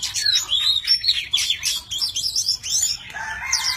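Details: Tame Oriental magpie-robin singing in many voices while spreading its wings and tail: a dense, continuous run of high whistled and buzzy notes, with quick rising and falling slurs, almost no pauses.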